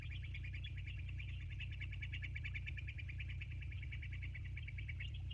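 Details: Bald eagles at the Sauces nest on 29 January 2024, 22:51, live cam: continuous fast high-pitched chittering, evenly pulsed for over five seconds, with a steady low hum underneath.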